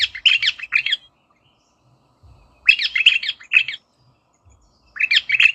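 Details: Rosella giving rasping, squawky chatter in three separate bursts, each about a second long, with silent gaps of roughly two seconds between them.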